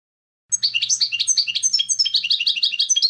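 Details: European goldfinch song, dense rapid twittering of liquid chirps and trills continuing steadily, with a faint low hum underneath at the start.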